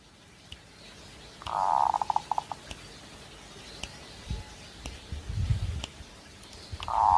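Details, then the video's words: Zebra dove in breeding condition: one rolled cooing phrase ending in stuttered beats, then low thumping noise, and another phrase beginning at the end. "Suara Burung Perkutut Sedang Birahi"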